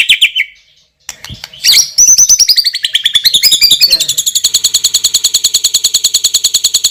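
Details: White-rumped shama singing loudly: a brief whistle, then a pause, then a long rapid rattling trill of evenly repeated notes lasting several seconds.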